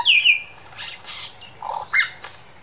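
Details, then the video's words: Superb lyrebird in the Dandenong Ranges Botanic Gardens copying other local birds and laser-gun and camera-shutter sounds: two quick high descending whistles, then harsh noisy bursts and a lower warbled note. "Lyrebird the master mimicker"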